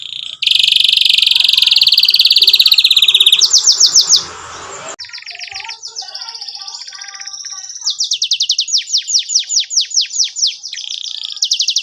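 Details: Lure recording of canary song for young canaries: a loud dense buzzy trill, then rapid descending-note runs and sharp downward whistles repeated in quick sequence.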